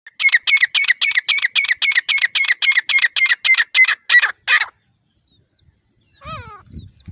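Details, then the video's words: Female grey francolin (teetar) from Layyah, call used as a hunting lure: fast series of harsh ringing notes, about four a second for four seconds, then silence and a few faint descending chirps. "teetar ki city per awaaz Layyah dakni teetar shikar teeter totter for the session female sound"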